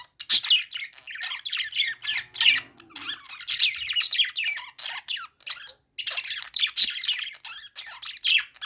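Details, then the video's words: Budgerigars chirping while playing: a continuous jumble of warbling chirps, squawks and chattering notes from several birds, in bursts separated by short pauses. "parakeet chirping sounds | budgies playing sounds"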